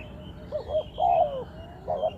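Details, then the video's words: Spotted dove call used as a lure for bird trapping: two short soft coos rise into a longer, level, then falling croo, with another short coo pair starting at the end, over a faint low background hum. "Sound Of Spotted Dove is so good,Bẫy cu gáy bằng mồi trồn,เสียงนกเขาใหญ่,Suara Terkukur Pikat Tua"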